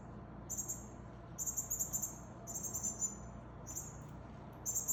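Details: Very high, thin, short notes in quick clusters of two to four, with pauses between bursts, over a faint low hum, as a male northern cardinal feeds a fledgling.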